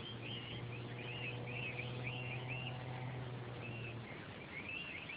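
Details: Rainbow lorikeets eating new blossom beside a golf course near Curtin University: faint, distant screechy chattering notes repeated rapidly, each short and wavering, over steady low rumble and a constant hum.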